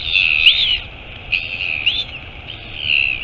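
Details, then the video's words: Drawn-out whistled high notes with a sudden upward slur, repeated several times against a constant hiss. Royal albatross, mother arriving at the nest, Taiaroa Head colony near Dunedin, New Zealand, 23 August 2022, live nest camera. "Альбатрос. Прилетела мама - Albatross. Mom arrived"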